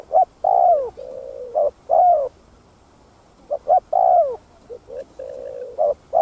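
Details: Spotted dove song meant to excite other doves, played for caged birds: repeated phrases of a short note and a long coo bending down, with softer clipped coos between, the phrase returning about every two seconds.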